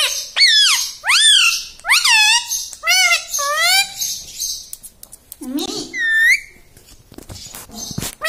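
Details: Talking pet ringneck parrot imitating household words like mummy, papa and mithu: five quick high-pitched syllables that rise then drop, followed by a lower, longer drawn-out word, then quiet room noise with faint clicks.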